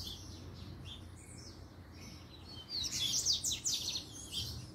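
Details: Double-collared seedeater giving a puxada-style song, with soft scattered high notes at first, then a loud burst of rapid, sharp, descending chirps and a few trailing notes over low rumble.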